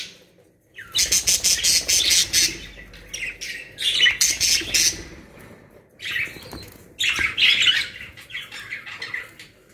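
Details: Caged Australian parrots, budgerigars, in Pakistan give clustered bursts of shrill, rapid chirps and squawks separated by brief quiet gaps, with faint wing flutters.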